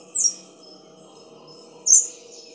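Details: Black-crowned palm-tanager, a bird of the Dominican Republic and Haiti, giving two very high, thin, slightly falling whistled notes about one and a half seconds apart over a quiet background hum.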